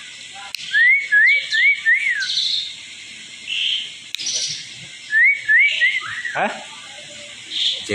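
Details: Asian pied starling lure song used to provoke other birds into singing: clear whistled upslurred notes in quick series of four, then buzzy and harsh chattering phrases, with a person speaking nearby.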